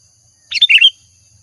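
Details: Single brief sooty-headed bulbul phrase used as a lure sound: a rapid, bubbly cluster of slurred, whistled notes lasting under half a second, then silence.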